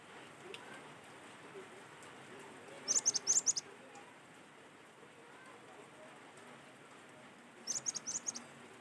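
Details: Cinereous tit singing in a natural recording meant as a lure for other birds: two brief bursts of about five sharp, very high notes, several seconds apart, against quiet background noise.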